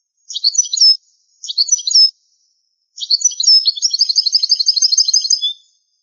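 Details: Old recording of European goldfinch song: two short twittering phrases, then a long rapid sequence of bright, tinkling, high notes and quick trills lasting over two seconds.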